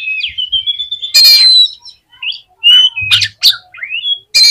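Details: Oriental magpie-robin, played to fire up other magpie-robins, gives drawn-out whistles and rising slurs interrupted by loud harsh rasping bursts.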